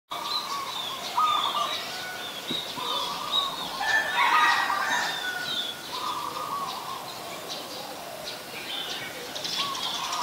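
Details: Adult zebra dove in Ubon Ratchathani, Thailand, 28 December 2020: soft, rapid rolling coos repeated in short bursts every second or two, with higher chirps from other birds throughout.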